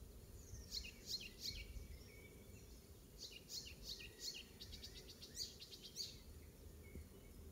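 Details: Garden-singing icterine warbler at Pieterburen, Netherlands, in May 2022, delivering fast repeated high chirps and rattling trills in quick bursts, with thin whistles between and a steady low hum behind.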